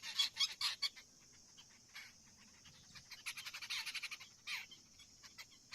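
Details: Common myna perched at its tree-hollow nest holding a large green insect in its yellow beak while feeding young; bursts of harsh, raspy broadband notes repeated rapidly, a pause, then another chattering run and a final squawk.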